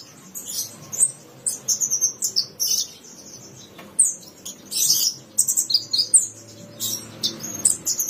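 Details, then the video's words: Javan bushlark, 2022 tutor song for getting bushlarks to sing: rapid high chirps and slurred notes in short, varied bursts, some harsher and louder, with quick pauses, over a faint low hum. "Kumpulan masteran burung branjangan terbaru tahun 2022, dijamin branjangan anda akan gacor"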